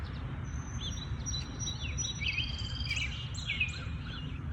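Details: Early-morning birds in their habitat give a long high whistle, then several quick chirps and sliding notes from more than one singer, over faint low-frequency noise.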